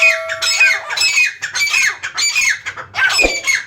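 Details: Pet francolins in captivity, filmed without editing: loud, rasping squawks repeated in quick succession, each carrying a high ringing tone and a slight downward slur, with a steady faint hum underneath.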